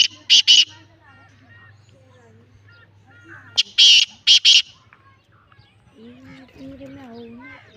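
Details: Two bursts of harsh, scratchy calling from a Lakka black francolin, each a quick run of rasping notes, followed by softer wavering whistles and chirps from other birds and a low hum.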